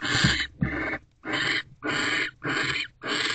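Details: Owls mating at a nest box, December evening, the male returning to the door afterwards; six rasping, breathy screech bursts in just over three seconds, each about half a second long, with soft low thumps at the start.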